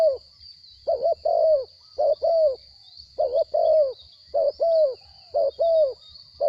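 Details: Wild-caught spotted dove kept captive, with a small voice, cooing steadily. Each phrase is a short doubled hoot and a longer falling coo, repeated roughly once a second over several phrases, with a faint continuous high-pitched tone behind.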